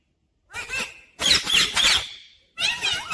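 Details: Pet Rose-ringed parakeet known for talking and saying 'mummy papa' lets out loud, scratchy, noisy squeals in three bursts, the middle one longest, with a silent start.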